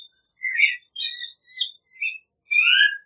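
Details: Clay-colored thrush giving five short whistled and warbled phrases, the last a longer falling slur layered over a higher note.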